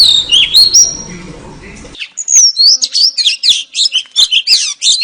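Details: Female oriental magpie-robin calling to lure a male: after about two seconds of low noise, a fast run of high whistled notes, sharp chirps and sliding phrases follows, loud and varied.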